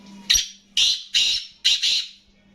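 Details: Caged Black francolin (kala teetar) calling: five loud, harsh, grating bursts over about two seconds, the last two nearly joined, with a low steady hum underneath.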